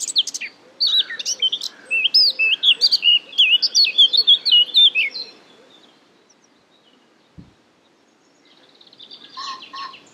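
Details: Eurasian blackcap (nominate atricapilla) at Marais d'Harchies, Belgium, in May 2017 sings a rich, fast warble of varied whistled and fluting notes for about five seconds, then falls silent; another bird chatters faintly near the end.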